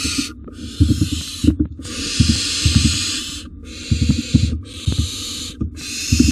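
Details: Barn owls, wild, in a nest box as parents bring food: loud noisy screeching hisses in repeated bursts of roughly a second, broken by short pauses, accompanied by thudding and rustling from the birds moving about.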